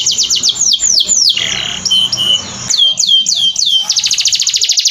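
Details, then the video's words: Canary singing, a training recording: bright sweeping whistles repeated several times per second, a brief harsh burst, then further descending sweeps ending in a rapid high trill. "Masteran Burung kenari"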